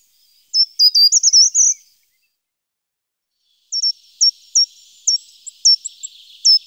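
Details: Short-toed treecreeper giving a quick high song phrase of several thin rising notes, then after a pause a series of sharp, very high single call notes spaced about half a second apart, with faint hiss behind.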